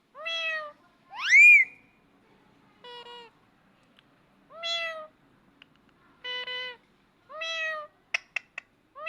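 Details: Parrot imitating a cat, opening with a mew and a loud rising-falling whistled cry, then a string of flat and curved meow-like calls, ending in quick sharp clicks.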